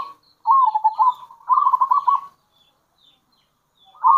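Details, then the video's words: Zebra dove of local stock, lure call with a wavering coo followed by a fast rolling trill, then a pause and the start of another phrase. "Panggilan Perkutut Lokal !! Perkutut Lokal Kerot Gacor Dan Bekur Ampuh Untuk Pancingan Perkutut"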